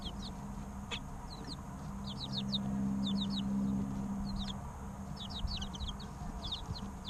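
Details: Three-week-old chicks chirping about three times a second, groups of quick high falling peeps, one sharp click early on, steady low hum beneath.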